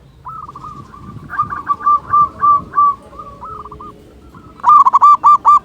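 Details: Local zebra dove with a big voice, kept as a lure to provoke quiet doves into singing: soft, clipped coos flutter unevenly over background rumble, then a loud, fast series of ringing notes breaks in at the end.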